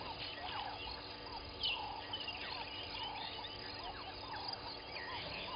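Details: Southern masked weavers at their nests by Gowrie dam, Djuma Game Reserve, Sabi Sand, South Africa, at 06:35 on 1 November 2021, chatter with overlapping buzzy, wheezy, swizzling notes from several birds over faint electrical hum.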